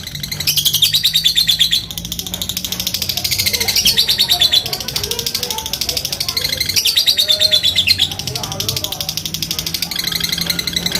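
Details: Fighter lovebird giving long ngekek chatter and ngetik ticking notes to call rivals and spur other lovebirds to sing. Extended high, rapid trilled chattering runs in long bursts, with soft lower chirps and a steady low hum between them.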